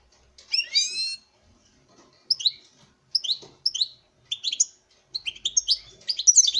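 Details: Male European goldfinch in captive breeding, singing to a female; opens with a rapid descending trill, then clear chirped notes repeated every half second, becoming denser at the end, quiet background.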